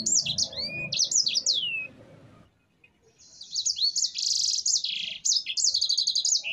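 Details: Sanger, the black-throated canary, singing a long rolling ngerol song: quick downslurred whistles, a short pause, then dense buzzy trills and chattering high phrases.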